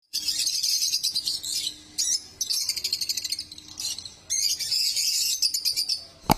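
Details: Lovebird chirps: dense, high, scratchy chattering with rapid buzzy notes in bursts, broken by short pauses near two and four seconds, a steady low hum underneath and a sharp knock at the end.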